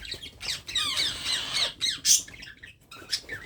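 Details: Baby parrot squawking continuously while being hand-fed: harsh, rapid, high raspy calls in a dense chattering stream, with a few louder squeals near the end.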